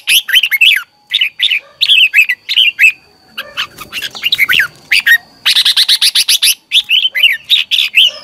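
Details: A Red-whiskered bulbul delivers a morning training song, meant to make other birds sing hard: nearly continuous short warbled phrases, repeated roughly every half second, with a dense run of quick notes near the end.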